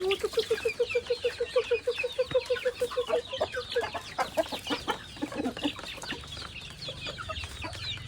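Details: Chickens feeding, a flock clucking and chattering: a rapid, steady run of short low clucks about three per second for the first few seconds, then a denser overlapping mix of higher squawky notes and peeps from several birds.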